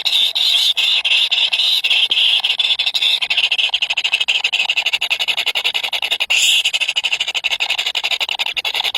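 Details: Three hungry chicks squeal continuously in a high, buzzy begging chorus broken into fast pulses, with one sharper rising cry partway through.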